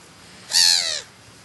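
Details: Black-headed gull in the New Forest, Hampshire, England, in July: a single drawn-out, raspy screeching call lasting about half a second, slightly falling at the end, against quiet background.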